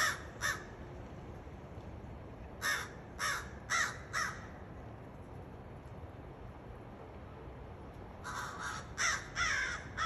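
American crow giving harsh, nasal caws in short bursts of two to four, with pauses between series, over a low steady background rumble.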